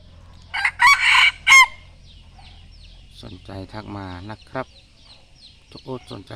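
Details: A rooster with a tail reaching the ground gives a loud harmonic crow in the first two seconds, then a man talks over quieter background.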